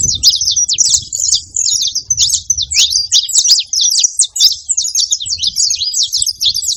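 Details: Saffron finch singing out in nature, a bright, hurried cascade of high squeaky chirps and quick trills repeated in short bursts, backed by faint low background rumble near the start.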